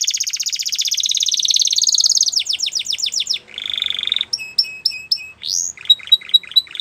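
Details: A domestic canary, identified in the video as a Spanish Timbrado and used as a training song, sings rapid high metallic rolls and trills, then bell-like notes and quick rising whistles with clear phrase changes.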